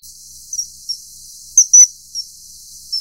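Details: Common kingfisher (Alcedo atthis) during mating gives short, shrill, very high whistles, about six in three seconds at uneven intervals, with two sharper ones close together midway, over a faint hiss.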